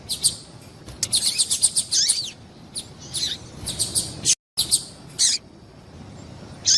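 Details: High-pitched chirps and descending slurred notes from a female double-collared seedeater, calling to excite males, come in dense bursts, then sparser, with a brief total dropout midway and low hum behind.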